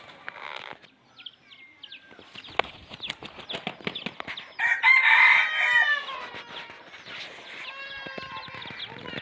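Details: Red junglefowl crowing: a loud, harsh, drawn-out crow mid-way lasting over a second, followed by fainter repeated calls, amid clattering knocks and background noise.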